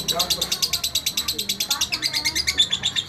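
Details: Lovebird tutor song from a kept bird: a steady, high-pitched, rasping chatter ticking roughly three times a second, with faint lower twittering underneath.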